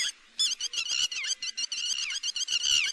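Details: Lure recording of a lapwing for net trapping: fast strings of piercing, ringing notes, each bending down at the end, delivered almost nonstop in excited series.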